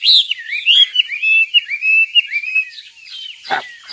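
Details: Nightingale song made of looping, slurred whistles that rise and fall, slowing and fading before one sharp, loud click near the end.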